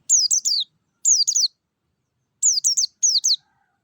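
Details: Forest-type white-eye singing as a lure for kept white-eyes: clear, high, down-slurred whistled notes in quick bursts of three, four bursts across the stretch with silent gaps between.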